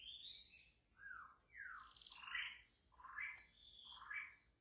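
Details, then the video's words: White-rumped shama, a wild forest bird, singing rich slurred phrases that sweep up and down, repeated roughly every second, with a low steady background rumble. "murai asli hutan belantara memang beda.!!"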